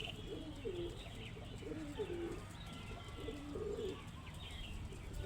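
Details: Indian pigeon cooing softly: low, rolling coo phrases repeated about every one and a half seconds, with faint chirps of other birds higher up and a steady background hum.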